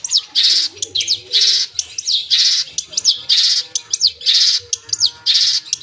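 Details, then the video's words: Long-tailed shrike singing loudly with full 'isian', alternating broad harsh screeches and thin downslurred whistles in a rhythmic pattern of roughly one phrase per second. "Suara Burung Cendet Gacor full Isian"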